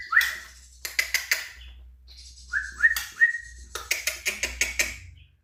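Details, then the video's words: White-rumped shama at a singing competition giving trotol-style song: clear upslurred whistles alternating with rapid runs of sharp, clipped notes in quick bursts, over a low rumbling background hum. "TROTOL MURAI LOMBA"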